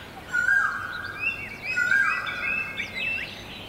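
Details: Great barbet recorded in Guangzhou, China, in April 2022: two loud, drawn-out, steady-pitched notes about one and a half seconds apart, overlaid by higher chirps and short trills from other birds, over a low background hum.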